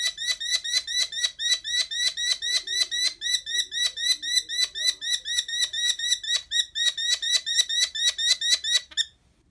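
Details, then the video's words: Injured merlin, a small falcon, undergoing a medical exam at a veterinary clinic in Bright, Indiana: a steady rapid chatter of sharp, high, harsh notes, about four per second, continuing for nine seconds, then stopping abruptly. "Merlin Vocalization"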